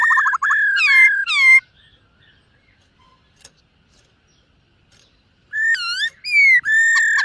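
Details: A silver-eared laughingthrush sings at morning voice training in 'múa' style. Quick hooked whistles come first, then about four seconds of near silence, then rising and dipping whistled phrases resume.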